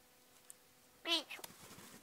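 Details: A pet magpie, happy and comfortable indoors on a spring day with snow still around, gives one brief, wavering, voice-like utterance that bends in pitch like a short spoken word or meow. A faint click follows in the quiet room. He talks and whispers.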